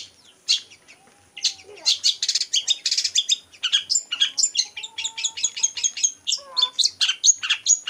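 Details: Long-tailed shrike, a skilled mimic copying other birds, singing a dense run of sharp high chirps, buzzy rasps and clear whistled notes in rapid succession, a lower whistle weaving underneath.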